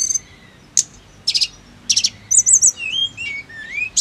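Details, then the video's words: Snowy-browed flycatcher song used as bird-singing therapy: spaced sharp high chips and short buzzy bursts, followed by a wavering high trill and a few lower slurred whistles against quiet background hiss. "TERAPI TLEDEKAN GUNUNG AGAR CEPAT GACOR NGEROLL"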